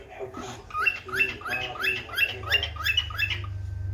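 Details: A pet yellow cockatiel calls out, seemingly to its owner, repeating short, rising chirped notes, about two each second, over a low steady hum.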